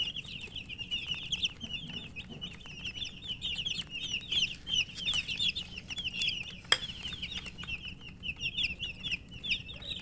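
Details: Several young chickens chirp as they feed, a continuous stream of shrill, quick descending peeps from many birds at once, broken by sharp clicks and one loud knock.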